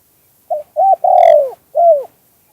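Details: Spotted dove singing the two-kuk-hoi song style, natural voice: a short burry coo, a second clipped coo, a long loud coo sliding gently downward, then a final falling coo, all mid-pitched, in quiet surroundings.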